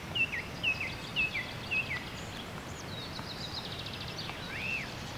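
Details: Mallard duck family (mother with ducklings) feeding on the Muuramejoki river in early June 2022 gives thin, high, down-slurred peeps, about two a second, then a faint, higher, rapid trill over a steady outdoor hiss.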